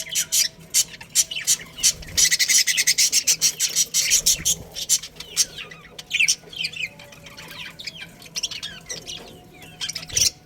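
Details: Chirping of a budgerigar breeding pair kept in a colony: quick bright chirps packed densely for the first few seconds, then looser warbled chatter and squeaky notes from several birds, with a faint background hum.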